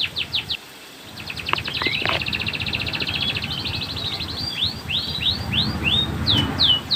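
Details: Canary master song for young or silent canaries. Brief whistles, a short pause, then a long buzzy roll of quick repeated notes running several seconds before loud downward-slurred whistles return.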